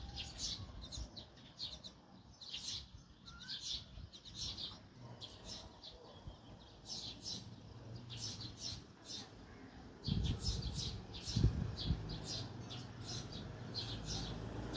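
Mynas give harsh, chattering calls in quick bursts, roughly two a second, over a steady low rumble that grows louder near the end.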